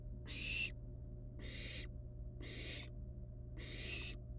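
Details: Wild barn owl nestlings at the nest with a live rat brought as prey, giving four harsh, breathy hissing screeches about a second apart over a steady low electrical hum.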